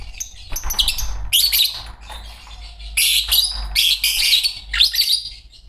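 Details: Dense, rasping chatter from a pair of green Fischer's lovebirds: high, harsh chirps run almost without pause, with louder clusters near the middle and the end.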